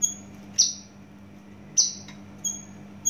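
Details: Javan bush lark, originally from Java, giving a few sparse, high, thin whistled notes, each sliding slightly downward, spaced about a second apart over a quiet background with a steady low hum.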